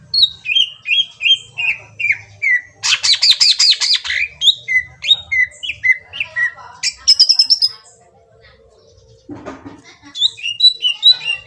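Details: Green leafbird lure song meant to draw a reply from another bird: varied quick whistled phrases, falling slurs, dense rattling bursts and high chatters, with a short pause before the song resumes near the end.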